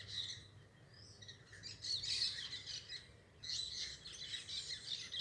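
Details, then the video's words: Several parakeets chatter in overlapping scratchy, twittering bursts. The busiest stretches come around two seconds and after three and a half seconds, with a steady low background rumble. "Som dos periquitos"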